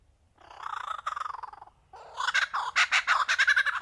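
A lyrebird gives harsh, rasping, pulsed notes. A grating churr is followed by louder screech-like bursts, about two or three per second.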